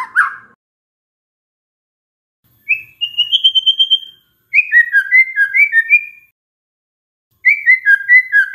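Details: White-rumped shama song, offered as a lure to get stressed birds singing. After a short burst come gaps of silence and clean whistled phrases, each a short series of two-note falling whistles repeated quickly.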